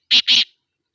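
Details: Two loud, coarse, scratchy notes from a black francolin in Sindh, Pakistan, the first short and the second drawn out, followed by silence.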